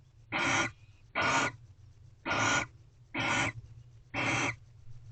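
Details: Mating barn owls calling from a corral owl box before dawn on 24 February 2023: five loud, noisy hissing screeches spaced about one second apart, with a steady low hum underneath.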